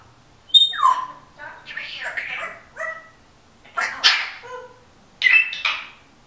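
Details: Home-kept female Timneh African grey talking, with a singer's music and a dog snoring behind; speech-like phrases broken by short whistles and falling squeaky notes in several separate bursts.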